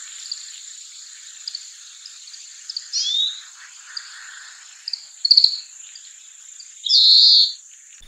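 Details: Oriental greenfinch, a winter bird seen at riverbeds, farmland, towns and parks, often lining wires or feeding in flocks, giving short twittering notes, then a longer buzzy, nasal call near the end, over a steady high-pitched hiss.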